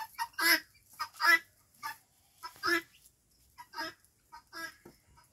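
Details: A five-month-old helmeted guineafowl gives harsh, rasping, grating calls, about six bursts in five seconds at an uneven pace, with nothing else clearly heard.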